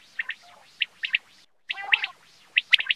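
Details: Common quail in Pakistan calls in sharp, liquid chirps, mostly in quick pairs and triplets about every half second, with a brief silent break midway.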